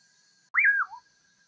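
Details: Common pauraque (Nyctidromus albicollis), known in Brazil as bacurau, song: a single burry whistled phrase that swoops up, then slides down to a short low note, over a faint steady insect hum.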